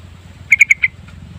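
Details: Lure recording of a yellow-vented bulbul giving a short burst of four clear, bubbly notes that are slightly uneven in timing, with faint low hum behind.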